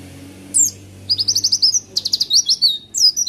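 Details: An Oriental white-eye in roll tembak style sings after a short opening note. Quick series of clipped, high-pitched whistles come in repeated rattling rolls, broken by short pauses. A soft low background hum is present.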